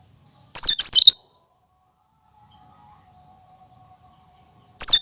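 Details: Cucak kinoi giving its own natural song, no mimicked notes, for luring birds. A fast, high, squeaky twittering phrase opens, then a long silence before another phrase begins and is cut off.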